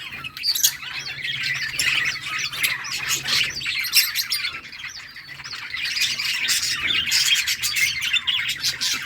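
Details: Budgerigars in a summer breeding colony, playing and chirping in a dense, unbroken chorus of warbles, chirps and scratchy squawks from many birds.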